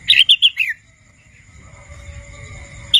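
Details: Young wild red-whiskered bulbul learning its song delivers a rapid four-note chirping phrase that slurs downward, followed by low rumbling noise, a faint hum and the start of another note.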